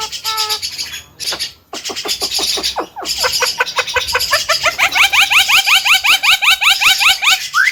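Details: Chatty Javan pied starling, a young contest-hopeful cage bird said to be able to talk: harsh churring bursts give way to a long fast series of sharp upslurred chips, about three a second, ending in a rising whistle.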